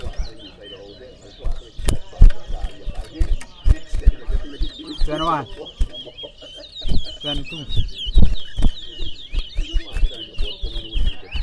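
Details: At a Towa Towa bird-singing competition in Berbice, Guyana, a chestnut-bellied seed finch sings a fast, sweet, high warbling stream of twittered notes, over men counting aloud, voices and sharp knocks.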